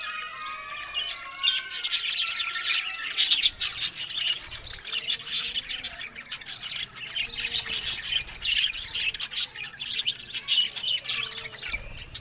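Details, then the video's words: Talking budgerigars trill and warble together in a constant, lively stream of high chirps, with a few clear whistled notes near the start. "Amazing Talking Happy Budgies Sounds"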